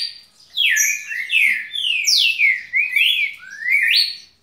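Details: Red-cowled cardinal, a kept bird singing without stopping, pours out a dense run of loud whistled slurs, falling then rising, almost without gaps.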